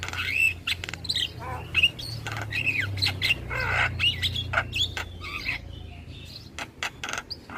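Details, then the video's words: Javan myna song meant to make other starlings respond: harsh squawks and chattering notes mixed with short whistles, irregular, over a steady low hum. "Ocehan Burung Jalak kebo Bikin Semua Jenis Burung Jalak Respon"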